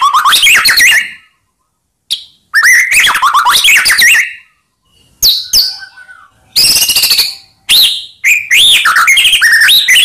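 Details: White-rumped shama song used as a lure to provoke silent shamas into singing. Loud bursts of rich whistles, rising slurs and rapid chattering trills, separated by short pauses.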